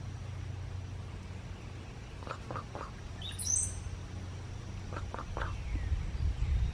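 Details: Cowbird, named for going along with cows in the field, with its gurgling, water-like song: a few short clucking notes, then a rising liquid gurgle ending in a high squeaky whistle, more clucks after, against low outdoor rumble.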